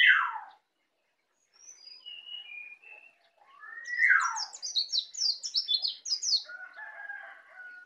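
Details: A Bali white-eye newly learning to sing: loud down-slurred notes and thin high whistles, then a quick run of high twittering notes, ending in softer buzzy phrases.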